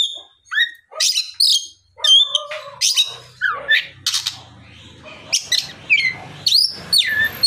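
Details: An Oriental magpie-robin sings in the afternoon to coax other magpie-robins into answering, mixing shrill whistles, harsh squawks and rapid twittering phrases, with a faint low hum in the background.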